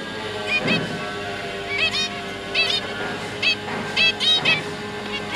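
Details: Captive zebra finch family, two parents feeding three juvenile chicks: scattered nasal trumpet-like beeps, often doubled, rising above a constant background hum and faint hiss.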